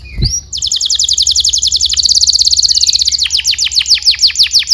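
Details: Canary song meant as training material for young canaries: a loud, fast rolling trill of rapid repeated high notes, shifting partway into slower, downward-sweeping notes, with a steady low hum beneath.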